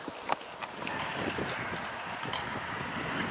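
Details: Steady wind rushes over the microphone during snowfall, with a few sharp knocks and rustles and no animal voice.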